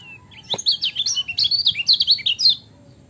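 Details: Lemon-bellied white-eye, known locally as kecial kuning, singing a lively training song; a fast, continuous run of high twittering, slurred whistles and chips over faint background hiss.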